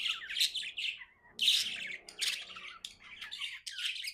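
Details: A pet budgie, described as happy, keeps up dense, high-pitched chattering chirps in rapid bursts with short pauses between them.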